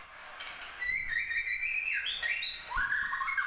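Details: White-rumped shama (murai batu) of the Bahorok type, in full-emotion competition-style 'tembakan' singing: long whistled notes gliding between mid and high pitch, a falling slur near the middle and a rising run at the end, over faint low background noise.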